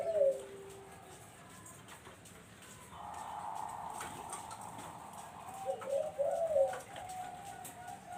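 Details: Barbary dove (Streptopelia risoria), used as a lure to attract zebra doves, gives low, rolling coos: one at the start and a stronger, throaty burst near the end, over a soft steady hum.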